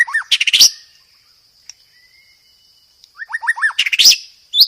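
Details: Master song of a white-rumped shama for tutoring caged birds: quick series of rising whistled notes and dense chattering bursts at start and end, separated by a quiet gap, with a constant thin high whine throughout.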